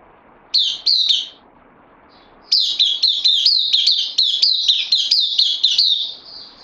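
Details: Newly arrived caged bulbul on loan, recorded 12 September 2020. Two loud chirps, a quiet pause, then a sustained string of sharp, ringing, slightly downslurred notes delivered rapidly and evenly.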